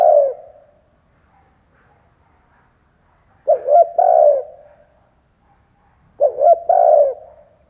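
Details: Decoy spotted dove calling to entice wild birds, giving three repeated coo phrases roughly three seconds apart, each with two or three short hooting notes leading into a longer, mellow, trailing coo.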